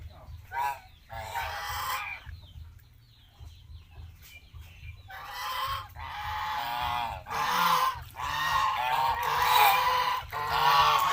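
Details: Geese on a farm in Asia: scattered honks at first, then a dense, noisy chorus of overlapping calls, over a steady low rumble.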